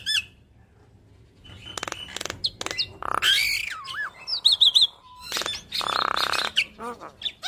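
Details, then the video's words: Yellow-eyed Javan myna singing busily from morning to night and showing off its repertoire of learned phrases: a quiet start, then harsh buzzy bursts, slurred rising and falling whistles and a rapid trilled run of high notes. "Jalak Kebo Mata Kuning Rajin Bunyi Bongkar Isian Ngoceh Dari Pagi Sampai Malam"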